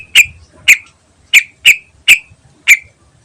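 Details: Greater green leafbird singing energetically in the ngentrok style, used as a lure: six sharp, bright chip notes at uneven intervals of about half a second, each with a brief ringing tail.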